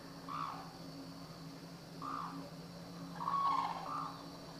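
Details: Black-necked crane held captive at Akan International Crane Center in Japan, January 8, 2006. It gives four short, nasal honks, one pair close together near the end, over a constant background hum.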